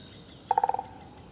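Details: Male great spotted woodpecker drumming at its nest in a busy walking area, recorded with a stereo shotgun microphone: one short, fast roll of about seven resonant knocks lasting under half a second, then quiet.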